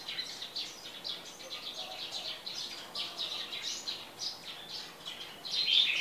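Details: Red-whiskered bulbul of the Tây Trà white-marked type, kept for a month and moulting, showing two white rings round the neck; dense, rapid high chirps and short twittering notes run throughout over steady background hiss, with a louder bright note near the end.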